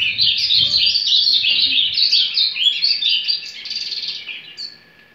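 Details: An ultramarine grosbeak warming up with a soft 'surdina' or 'carretilha' song: a fast, continuous, high twittering warble that softens and fades toward the end, with a few low thumps early on.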